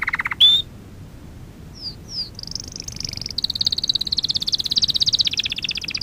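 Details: Canary lesson song for training young birds: a brief low trill and sharp note, a couple of high slurred whistles, then a long very high, fast pulsing trill with a lower rattling undertone.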